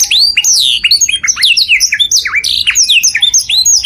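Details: Canary song played loud for other birds to imitate: a rapid run of bright, varied whistled notes, many sweeping down sharply, others rising, with little pause between phrases, in a small indoor space.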